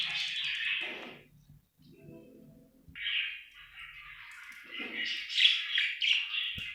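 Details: Budgerigar in a happy mood chirping: a scratchy warble at the start, a quieter gap with faint murmuring sounds, then renewed buzzy chatter rising into sharp squeaks toward the end.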